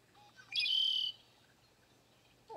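A male Red-winged Blackbird gives a couple of soft opening notes, then a loud, harsh, buzzy trill lasting about half a second. A brief falling note follows at the end.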